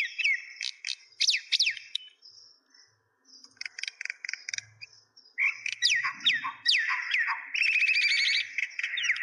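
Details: Mynas in Kulaura, Moulvibazar, Sylhet, Bangladesh chatter in a busy mix of sharp whistled notes, swoops and harsh rattling chirps, several birds overlapping with a brief lull partway through.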